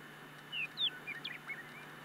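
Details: American avocets during courtship and mating give five or six sharp, high, slightly falling notes in under two seconds over a faint steady background hiss.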